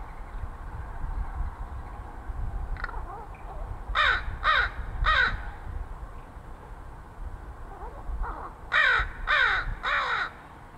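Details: A neighbourhood crow, friendly with the person who feeds it from a fire escape, gives muttering calls: soft falling notes, then groups of three harsh rattling bursts, over low rumbling background noise.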